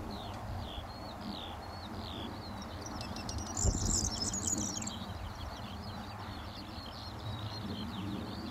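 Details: A corn bunting, believed male, in June 2013 at Deadman's Hill, Hertfordshire, after flying into a bush, gives short repeated upswept notes then a brief dry jangling burst of high notes over steady wind rumble.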